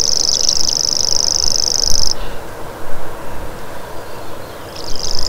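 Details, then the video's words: Common grasshopper warbler (Locustella naevia) giving its high, insect-like buzzing reel for about two seconds, falling silent, then starting the same even, rapid trill again just before the end. "Common Grasshopper Warbler Call"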